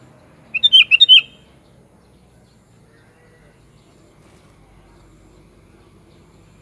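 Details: Kutilang, the sooty-headed bulbul, gives one brisk burst of six chirpy, bubbling notes near the start, followed by several seconds of near silence with faint low hum, then the onset of another note at the very end.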